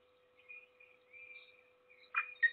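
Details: At a peregrine falcon nest in Trzebież Forest District, Poland, on 7 May 2022, a parent feeds its only chick; soft drawn-out high whistles build into two loud, rasping calls at the end, with a constant background hum.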